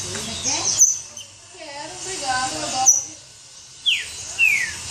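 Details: In captivity, an agitated Green-winged Saltator trills and gives harsh snoring calls: sharp, thin high notes and quick downslurred sweeps a few seconds apart, over low murmuring voices.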